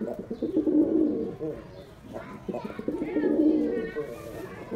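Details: A white male domestic pigeon gives deep, throaty rolling coos in two long bursts separated by a short pause, in a small, echoing indoor space.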